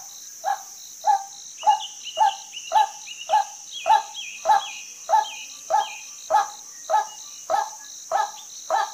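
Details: Female white-breasted waterhen giving a steady series of short, hoarse mid-pitched notes, about two every second, over a constant high insect drone, with a second bird adding thin descending whistles.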